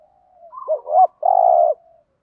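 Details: Decoy spotted dove calling to draw in wild doves: one phrase of soft lead-in notes and a double rising hoot, then a sustained, throbbing low coo about half a second long.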